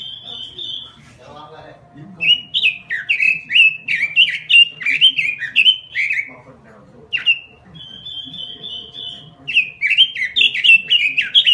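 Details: Robin kept in a small cage sings lively, chattering whistled phrases in quick bursts, pausing briefly between runs, with one long steady whistle mid-way and soft background rustling.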